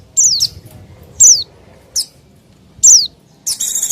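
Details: Pleci (white-eye) calling as a lure for wild birds: four high, sharply falling whistled chips spaced roughly a second apart, closing with a harsh buzzy burst.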